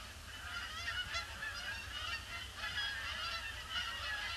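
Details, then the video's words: A huge flock of Canada geese arrives at a pond on a gloomy, grey Boxing Day (26 December 2015), circling before landing, honking continuously: many overlapping nasal, two-note honks rising and falling in a steady chorus over a low rumble. "Huge influx of Canada Geese"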